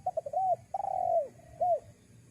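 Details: Spotted dove coo used as a lure for wild doves: a short stuttered lead-in of soft notes, then a long mellow descending coo and a final brief rounded coo, all low and hollow over faint background hum.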